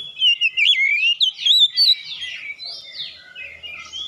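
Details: Singing Oriental magpie-robin used to get other birds going: a warbling, wavering whistle that rises and falls, then softer slurred phrases fading out.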